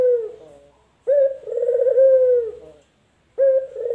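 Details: Male collared dove, local or white variety, delivers a mellow low coo, then a longer throbbing coo, and starts another phrase at the end.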